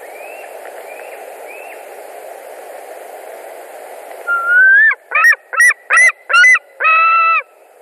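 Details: White-tailed eagle at a nest in Latvia on 21 July 2019 around 20:49, screaming as another eagle arrives; faint rising whistles, then six loud harsh yelping notes in quick succession, the last one drawn out.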